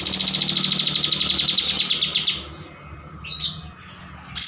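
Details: Lively cream-striped bulbul song used as a master recording: a fast, steady buzzy trill of pulsed notes for about two seconds, breaking into separate high clipped chirps and a brief final rattle.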